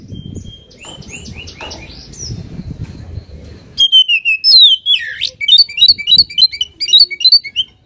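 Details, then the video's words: Oriental magpie-robin song meant to rile up a rival bird: quiet scattered notes at first, then a loud burst of whistles, a sweeping slurred phrase, and rapid rhythmic high chirps repeated in quick succession. "KACER GACOR BIKIN EMOSI LAWAN,PANCINGAN KACER EMOSI BIAR NGOBRA"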